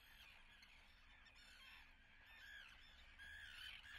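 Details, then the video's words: Nesting common terns at Atlit, 10 June 2010, give a busy stream of grating, rising and falling calls from several birds, growing louder toward the end over a faint low hum. "Common Terns nesting / שחפית ים"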